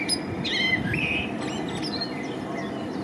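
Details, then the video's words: Male blackbird singing in spring: a few clear, flute-like whistled notes stepping upward, then softer high chirps fading into a noisy, rumbling background. "Samiec kosa i śpiew (Turdus merula) blackbird sings"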